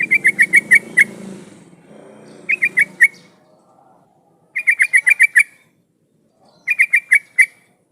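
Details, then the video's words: Yellow-vented bulbul singing energetically as a lure to make other bulbuls answer and sing: bursts of five to six bubbly, clipped notes, repeated about every two seconds, with a low hum beneath the first phrase. "suara pancingan trucukan gacor jadikan burung trucukan nyaut dan bunyi"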